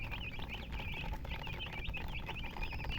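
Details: Chicken chirping in quick, wavering high peeps strung closely together, with a loud low-pitched hum running underneath throughout.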